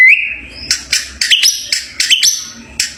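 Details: Champion White-rumped shama opening with a sustained whistle, followed by sharp high chips and looping upswept notes repeated a few times.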